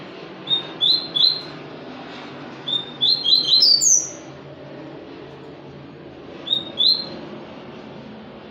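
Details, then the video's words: High, quick chirping phrases from a papa-capim seedeater, one run climbing to a sharp upslurred note, then a short pair of chirps later, over constant background hiss. "papa capim"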